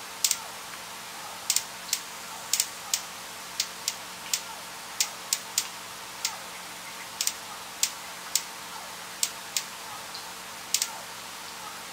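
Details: Sharp, irregular mechanical clicks, like a ticking clock, against a faint steady hiss; no animal voices.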